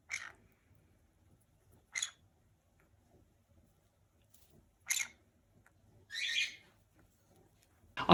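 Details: Pet green-cheeked conure chatting, a sound the owner links to contentment, relaxation and play: five brief, scratchy chirps spaced one to three seconds apart, with quiet pauses between them.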